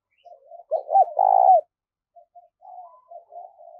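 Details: Decoy spotted dove (cu gáy) cooing vigorously to lure wild doves: a few soft low coos, then a loud burst of deep, rolling, arched notes, followed by quieter cooing phrases.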